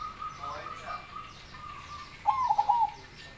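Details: Big-voiced baron zebra dove delivering one rolling coo phrase near the end: a rising first note, then a fast run of bubbling staccato notes, after quieter faint tones and soft background noise.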